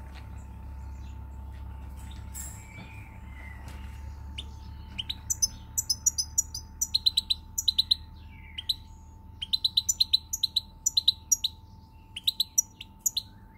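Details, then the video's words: European goldfinch song recorded 20 March 2020: after a quiet start, quick bursts of high, bright tinkling notes come in clustered phrases with short pauses, over a faint steady hum and low background rumble. "Pirlitan Chardonneret, El jilguero, bird, cardellino pezzato GOLDFINCH SONG"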